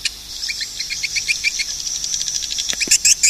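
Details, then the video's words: High, thin swiftlet chirps repeated in a quick loose series over a hissing background, ending with a few louder sharp clicks. "suara burung walet"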